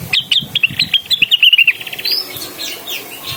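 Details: Blue-winged Leafbird calling a rival with a rapid string of sharp, slurred chirps that speed into a short trill, then faint whistles afterward.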